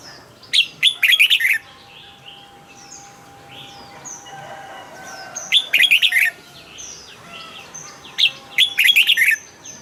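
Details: Red-whiskered bulbul kept in a cage, singing three bubbly, rollicking whistled phrases spaced a few seconds apart, with faint chirps from other birds and a steady, thin hum in between.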